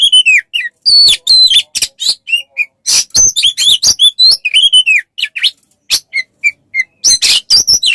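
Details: Oriental magpie-robin in a tutor recording for songbird training: an energetic, jumbled series of descending whistles, sharp clicks and buzzy bursts with short gaps between phrases.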